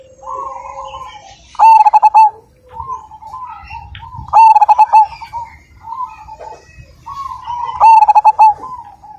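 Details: Zebra dove of the Majapahit line, noted for its big voice and strong 'kung'. Three loud series of short, staccato coos come about every three seconds, with gentle wavering coos filling the gaps.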